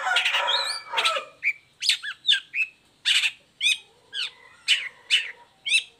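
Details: Uncovered caged long-tailed shrike singing as a lure for lazy or moulting birds: opens with a dense chattering burst and thin whistles, then a string of separate harsh, downslurred notes.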